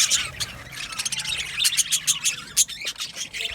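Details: Budgies in an aviary giving sharp clipped squawks and high chirps in quick irregular bursts, several birds calling over one another.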